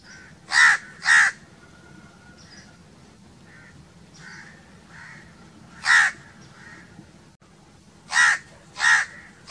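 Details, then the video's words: Loud rasping crow caws: a quick pair at the start, a lone caw near six seconds, then two more spaced apart near the end, over soft far-off calling. "1 hour crow crowing sounds - one hour crow nonstop crowing voice - natural crow bird sounds"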